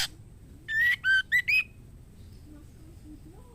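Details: Mating call of a female white-rumped shama summoning the male: four clear whistled notes, the second dipping lower and the last sliding upward, over a faint low hum.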